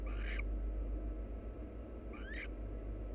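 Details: Two wild barn owls preening each other. Two quick harsh notes, the second sweeping upward, about two seconds apart, with low humming behind.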